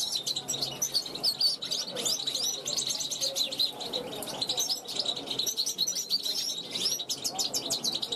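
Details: European goldfinch youngster from 2021 on a balcony, calling out to passing wild goldfinches; an unbroken stream of high, liquid twitters and chirps, with fast trills and scratchy notes mixed in.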